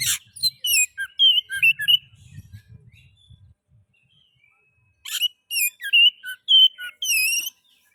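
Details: Oriental magpie-robin (kacer) 'ngeplay' song, used to prompt other magpie-robins into singing: loud bursts of varied, sharp whistled and chattering notes, a quiet gap with soft low thumping, then another burst of rich, rapidly repeated whistles.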